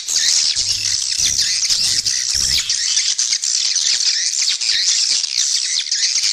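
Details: Calls of swiftlets played as a lure to draw birds in and grow the colony: continuous high-pitched chattering and squeaky chirps layered thickly together, with sharp squawk-like notes standing out near the start.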